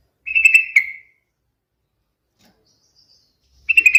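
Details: Two brief chortling bursts from a yellow-vented bulbul (trucukan), each of three to four liquid notes, with a long quiet pause between them.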